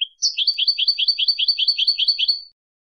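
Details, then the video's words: Goldfinch song as one steady trill of quick, repeated twittering paired notes lasting over two seconds after a short introductory chirp, high-pitched against a silent background. "10 Hours of Goldfinch Song"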